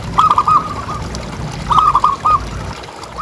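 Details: Local zebra dove, a kept bird, with a loud calling voice, used as a lure to get other doves calling. Two cooing phrases, each a quick run of short, level notes ending in a longer note, over faint low rumble.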